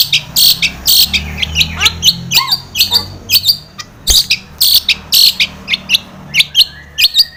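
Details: Long-tailed shrike lure recording to get captive shrikes singing: irregular harsh buzzy bursts mixed with short clicks and a few slurred whistles throughout.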